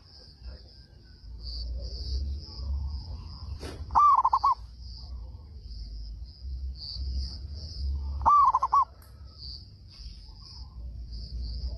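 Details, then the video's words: A local zebra dove (perkutut), a loud singer that draws other doves to answer, gives two brief bursts of quick, rolling coos about four seconds apart, over a low rumbling hum and a steady high-pitched whine. "PERKUTUT LOKAL GACOR SUARA BESAR PEMANCING PERKUTUT LAIN PADA NYAUT"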